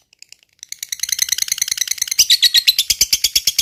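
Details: Lovebird of the fighter type in long 'ngekek panjang' chatter. A few isolated clicks build into a dense, harsh, rapid rattle, then settle into loud, evenly spaced, grating notes about five per second.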